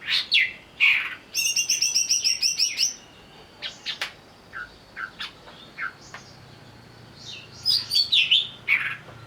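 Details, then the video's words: Agitated greater green leafbird used as a singing lure: loud whistled notes, a long stuttering buzzy rattle, scattered chips, then a final run of rich warbled slurs. "pancingan burung cucak ijo agar bunyi sambil emosi"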